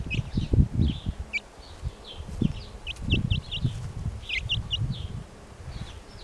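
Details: Brahma chicks peeping: short, high, downward-slurred peeps come singly and in small clusters, softly over louder low thumps and rustling nearby.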